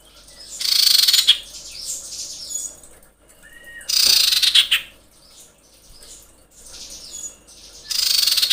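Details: Female common iora in breeding condition summoning males: loud buzzy rattles of tightly packed pulses, each under a second, repeated roughly every three to four seconds, with quieter chatter and a short whistle between.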